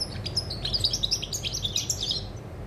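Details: Goldfinch singing, 20 August 2020, in a dense, liquid twitter of quick high chirps and trills that barely pause, with a low constant background rumble.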